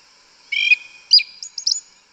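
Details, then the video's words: Singing in the woods, a yellow-legged thrush gives a short 'canto mateiro' phrase: a rich whistled note, a sharp slurred chirp, then two quick high squeaky notes, against a steady thin background hum. "Sabiá Una cantando no mato. Lindo canto mateiro da sabiá preta"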